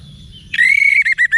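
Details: Orange-headed thrush from North Bali, used for training cage birds; one long clear whistled note, slightly rising, followed by two short whistled notes, loud and clean.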